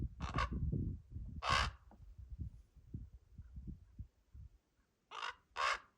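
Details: Common raven fledglings awaiting food from their parents utter a few hoarse, rasping squawks, one early, then a pause and two more near the end, with low thumping and rumbling noise between them.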